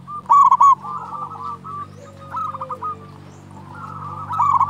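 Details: Local zebra dove (perkutut lokal), strong-voiced. It opens with a loud burst of quick warbled notes, then gives long, trembling, rolling trills with softer accented notes. A faint lower whistle and a background hum accompany it.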